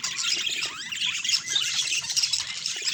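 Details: Budgerigar chatter, naturally recorded: steady scratchy warbling with quick slurred squeaks and chirps running without break through three seconds, over soft low background noise.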